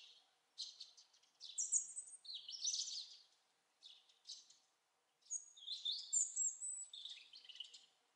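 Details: European robin singing at Lipka, Wielkopolska, 11 November 2014: high, thin, warbling phrases with liquid trills and sliding notes, in two long bursts separated by short pauses.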